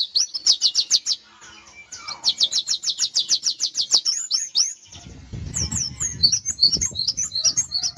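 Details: A caged Oriental white-eye (pleci) trained to mimic canary, Java sparrow and red siskin songs, pouring out high, fast canary-like trills of rapid repeated notes, then scattered bright chirps over a low rumbling background noise.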